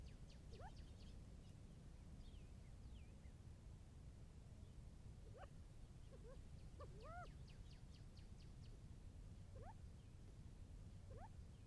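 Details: At 6:46 AM in desert near Tucson, Arizona, a trail camera records a quail's morning call, short upslurred notes in loose bursts over a steady low rumble, which scares off a rabbit drinking nearby.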